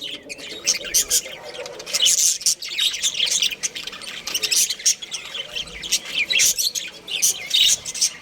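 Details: Budgies from a breeding pair squawk and chirp in loud, scratchy, high bursts repeated through the recording.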